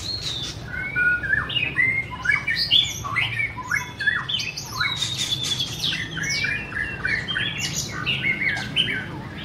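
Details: Dense, rich song of a white-rumped shama: many harsh and whistled notes jumping between pitches, some rising slurs, delivered almost without pause over a faint low hum.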